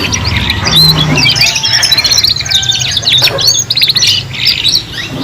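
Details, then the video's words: A trio of young canaries learning to sing: loud rapid trilled runs and buzzy chirps, with a low hum and a short drop in volume near the end. "KENARI PAUD BELAJAR BUNYI BARENG 3 IN 1 | CANARY SINGING"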